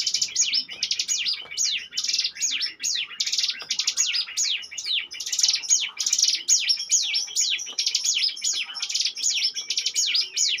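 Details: Ngebren-style song of a Bar-winged prinia suited as a lure bird: rapid high trilled buzzes interwoven with repeated downslurred whistles, steady and unbroken throughout.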